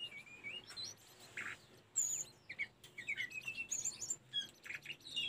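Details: A Sunda robin sings, recorded for training caged birds: a lively string of high whistled slurs and twittering chirps, rising and falling, with short gaps between phrases.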